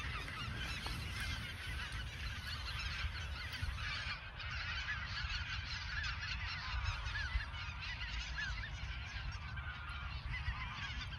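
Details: Pre-migration geese in the Ochsenmoor nature reserve, autumn 2022: a large flock calling nonstop, many overlapping honks forming a steady din, with low wind rumble underneath.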